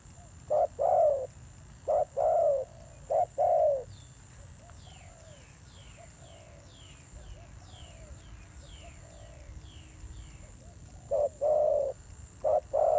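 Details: Fierce-voiced wild-caught spotted dove giving paired hollow coos. These pause for several seconds while faint, thin, falling chirps of other birds fill the gap, and then the cooing resumes.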